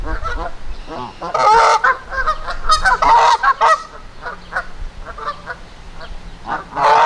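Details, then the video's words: Agitated Canada geese in Victoria Park, Kitchener, Ontario, honking aggressively at a person nearby. Raucous, overlapping honks arrive in rapid volleys, with loud bursts near the start, middle and end, and quieter gaps between them. "Angry Canada Geese in Victoria Park Kitchener Ontario"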